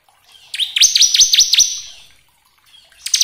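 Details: Bar-winged prinia song used as a lure to provoke other birds: a rapid series of high, sharply descending notes, about six strokes in a burst, then a brief pause before another burst starts.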